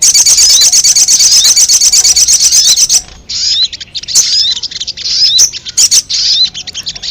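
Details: Hand-reared ruby-cheeked sunbird chicks in care: rapid, evenly repeated high thin chips for three seconds, then shorter bursts of sharp rising and falling squeaky notes separated by brief pauses.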